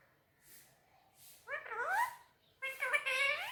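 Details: Pet Indian ringneck parakeet talking in Urdu/Hindi on a table: soft breaths, then two short nasal spoken phrases with rising, bending pitch.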